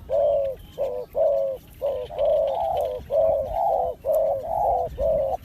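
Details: Spotted dove, used as a trapping lure, giving loud, close coos in a steady series: short notes alternating with longer, slightly rising rolling coos, roughly one per second, with little background noise.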